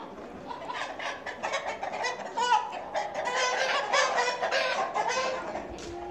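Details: Australorp chickens on a farm, heard during a short walk around it: a flock of hens clucking continuously in overlapping, harmonic, slightly nasal calls that rise and fall in loudness, with a faint rustle behind.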